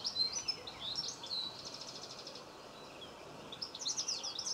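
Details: Common linnet filmed close up in a garden in Cornwall on 26 November 2015 gives quick, high twittering notes in bursts, with a run of rapid buzzy chatter in the middle, over a soft background hiss.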